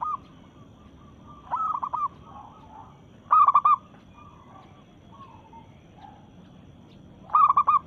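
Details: Local zebra dove in breeding mood, calling to challenge rivals: short bursts of quick rolling cooing notes, spaced several seconds apart, with fainter softer coos between and a steady low hiss.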